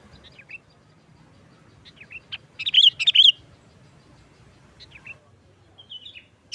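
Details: Sooty-headed bulbul singing in 'nggaruda' style, a lure for trapping bulbuls; scattered soft chirps around one loud burst of three rich, warbled whistled notes midway, with a low background hum.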